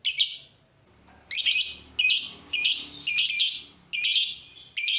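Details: Lively lovebird kept as a song tutor to stir up other lovebirds: harsh, shrill chirping bursts, each about half a second long, repeated in a steady run after an opening pause.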